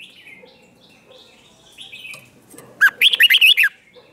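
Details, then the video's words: Red-whiskered bulbul in competitive song meant to provoke other birds: soft wavering whistles at first, then one loud, quick phrase of bright warbled notes lasting under a second. "Kích Chào Mào Hót Ché/ Kích Chào Mào Bổi Hót Đấu Mới Nhất"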